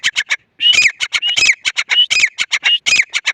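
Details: Grey francolin giving loud, piercing repeated call notes after a short opening pause, grouped into rhythmic phrases with several sliding whistled notes mixed among sharp clipped ones.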